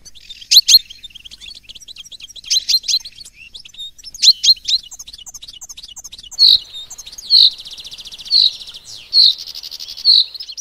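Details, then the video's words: Goldfinch mule, 2018: three spaced bursts of sharp chirps, then a string of loud rolled notes roughly once a second, linked by a soft buzzy trill, in an otherwise quiet setting. "Mulet Phénomène 2018"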